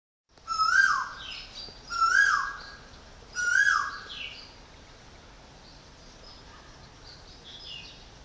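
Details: Woodpecker calling at a home in Chonburi Province, Thailand: three loud, clear notes roughly 1.3 seconds apart, each a bright note that quickly rises and then slides downward with a harsh, ringing overtone, followed by faint distant calls.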